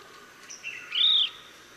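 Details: Chestnut-bellied nuthatch (Sitta cinnamoventris) at Sattal, Uttarakhand, India: one loud, clear, slightly arched high whistle lasting about a third of a second, preceded by fainter softer notes.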